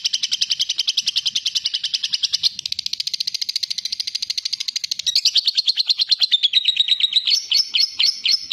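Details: Lovebird ngekek meant as a lure for other lovebirds: over eight seconds a rapid high trill of harsh pulses runs steadily, shifts pitch in stages, then ends in louder, more spaced, squeaky notes.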